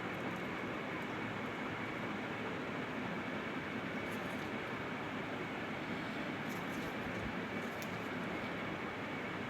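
Steady broadband rumble like a passing train or vehicle fills the whole recording, with faint high hiss and no animal voice.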